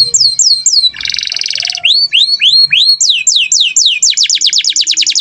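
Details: Lively canary song in gacor style: falling notes, a harsh buzzy rattle, several rising whistled swoops, then descending sweeps speeding into a fast trill about five notes per second.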